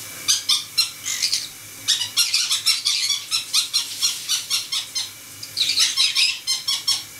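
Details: Pet conures, four together, calling while shower water runs; rapid series of shrill, scratchy squeaks repeated in quick rhythmic bursts, several per second, with a pause midway, over constant water hiss.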